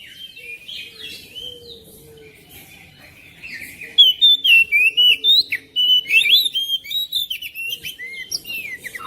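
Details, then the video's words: Oriental magpie-robin singing to prompt a reluctant bird at home: soft rambling warbles at first, then loud, sharply repeated whistled notes about four per second, trailing into quieter chattering twitters. "KICAUAN KACER"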